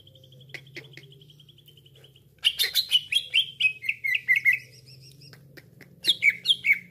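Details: A green leafbird (cucak ijo) used as a trapping lure: a soft trill and clicks, then an abrupt burst of bright, falling whistled notes repeated rapidly, a short pause, and three more sharp chirps over steady low hum.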